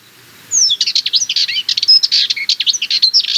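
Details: Sardinian warbler song: a fast, scratchy, rattling chatter of dense harsh notes mixed with brief high whistled slurs, running continuously for about three seconds in a quiet setting.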